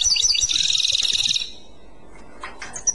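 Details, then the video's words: European goldfinch giving a dense, fast, tinkling twitter of Clochette-style song that stops after about a second and a half, followed by near quiet with a few faint high chirps. "تغريد كلوشات Chant Clochette"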